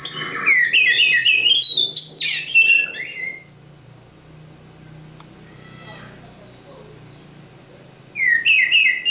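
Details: Oriental magpie-robin, local East Java type, giving a vigorous three-second burst of high whistles and chattering notes, then a long quiet gap with faint background sounds, before resuming with sharp bright phrases.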